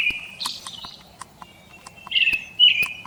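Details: Brown-headed thrush calls from a field guide recording: slightly descending, thin, high whistles, one early and a pair close together near the end, with scattered clicks.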